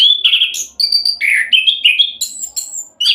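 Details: Orange-headed thrush in rapid 'roll' style, a lure to prompt other birds: loud, rich whistled phrases, some held and wavering, stepping between pitches, ending in bright high notes.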